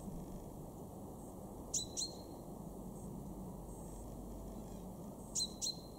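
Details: In a Weener garden, East Frisia, March 2023, a male chaffinch gives two pairs of crisp, high, descending call notes separated by several quiet seconds over a soft, steady background hiss.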